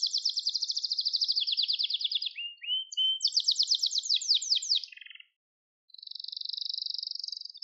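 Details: Song of a Gloster canary, recorded for song training: a fast rolling trill that slows into lower gliding notes, then a bright pulsed tour, a half-second pause, and a smooth steady high trill at the end.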